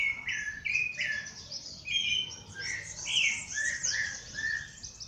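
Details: Birds singing at dawn in nature: several overlapping bright chirps and short whistled phrases, some rising and some falling, with thin high twitters above, in a continuous, lively chorus.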